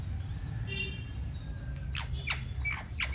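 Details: Ceylon large parakeet, or Alexandrine parakeet, recorded in Sri Lanka where it is resident: faint thin whistles at first, then four rasping downward-sliding squawks spaced about half a second apart, with a low rumbling background.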